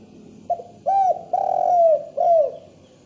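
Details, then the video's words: Spotted dove cooing in the morning, a lure call for attracting other doves: a short soft note followed by three loud, hollow, slightly falling coos in about three seconds, recorded in a quiet setting. "DERKUKU GACOR dipagi hari!! SUARA MERDU COCOK BUAT MASTERAN & PANCINGAN"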